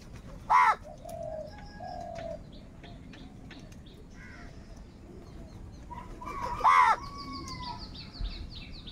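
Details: A crow in a food-squabbling flock gives two loud, isolated harsh caws about six seconds apart, amid soft cooing and high faint chirps.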